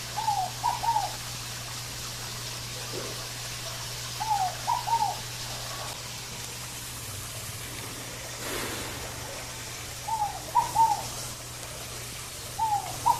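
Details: Fogo-apagou, the scaled dove, repeating its soft three-part cooing song in a natural setting: falling first note then two brief arched notes, phrases spaced several seconds apart, with a low constant hum and light background noise.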